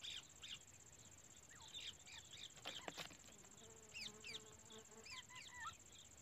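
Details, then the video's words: A female grey francolin in India calls non-stop, repeated sharp, rising whistled notes in quick phrases over a steady high insect-like drone, with a few dry clicks. "non stop calling female"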